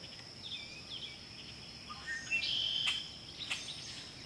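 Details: Wood duck (Aix sponsa) ducklings give a few thin, high whistled peeps, one louder and drawn out, over a steady high insect hum.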